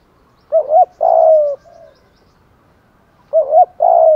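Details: Spotted dove cooing as a decoy to draw in doves: a wavering coo and long falling coo with a soft tail note, repeated once nearly three seconds later.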